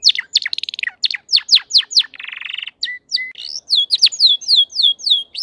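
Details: Crested canary in good form: quick falling chirps, a rapid buzzy trill, a low rattling roll, short level whistles, then a steady series of swooping high notes.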